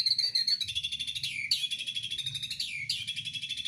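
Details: Caged white-rumped shama at a breeding enclosure giving sustained high whistles that dip and restart about every one and a half seconds, layered with a rapid pulsing chatter, over low background hum.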